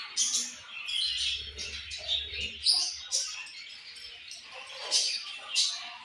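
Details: Budgerigars twitter constantly, high squeaky chirps and grating warbles layered from several birds, with a faint low hum in the background.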